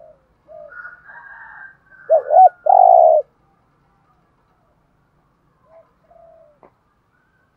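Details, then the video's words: Spotted dove kept as a decoy to lure wild birds: faint higher cooing at first, then one loud phrase of a quick double coo and a long, rough coo, then near silence with a few soft notes. "Tiếng chim cu gáy kích bổi nhanh nổi rất nhanh nổi/ chim cu gáy mồi chai thúc gù bài bản giọng hay"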